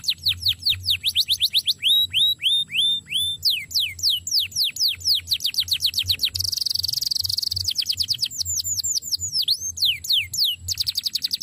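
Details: Canary in full song as a training recording: series of fast downward-sweeping whistles, hooked chirps, a brief harsh buzzy burst, then more rapid sweeping notes, lively and varied.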